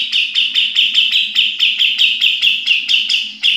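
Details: Sooty-headed bulbul singing in the rapid ngepik style, a fast series of about thirteen identical bright chirped notes, evenly repeated roughly four times a second.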